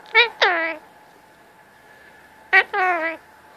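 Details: Pet male Indian ringneck parakeet talking indoors at cuddle time to get attention and petting: two short nasal, voice-like harmonic bursts, a long quiet pause, then two more similar bursts.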